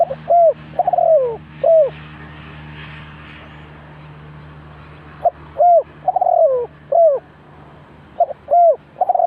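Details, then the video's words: Dove kept as a trap decoy, identified as spotted dove, uttering cooing phrases of short hoots and a falling drawn note. A pause of about three seconds separates two bursts, with a steady low mechanical hum behind. "The Sound Of Dove,เสียงนกเขาใหญ่"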